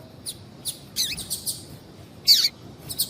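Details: Female Double-collared Seedeater calling to stimulate a male: short sharp high chirps, several descending, spaced irregularly about every half second, one louder downslurred note near the end, over a low steady background hiss.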